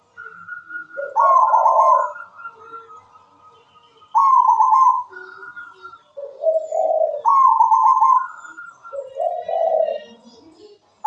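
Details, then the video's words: Local zebra dove (perkutut lokal) singing vigorously, a recording meant to train or prompt other doves into song: three mellow cooing phrases about every three seconds, each a tight burst of notes falling into lower, rolling coos. "Perkutut lokal gacor suara mewah"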